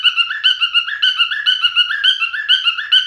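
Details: Male cockatiel singing: a steady run of clear whistled notes, each with a bright overtone, stepping up and down in a looping melody at about two notes per second, with no other sounds.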